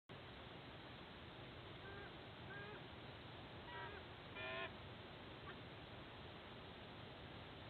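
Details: White-bellied sea eagles at the nest during incubation, pre-dawn on 29 July 2024 at Sydney Olympic Park, Australia, recorded by a nest camera: several short, nasal honking notes spaced a second or so apart over a steady hiss.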